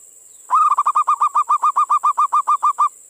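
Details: A zebra dove (perkutut) sings a quick run of about fifteen short, hollow, evenly paced cooing notes, used as a lure to draw local perkutut, over a faint steady high electronic whine.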